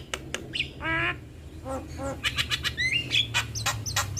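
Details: Black-winged starling male and female in duet: harsh squawks and broad noisy bursts mixed with short rising whistles and clicks, a steady low hum underneath.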